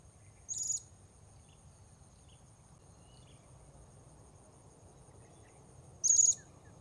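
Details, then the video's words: Blue-crowned hanging parrot recorded while luring wild birds at a new spot: two brief, very high, shrill notes about five seconds apart over a low steady background hum. "Memikat Serindit"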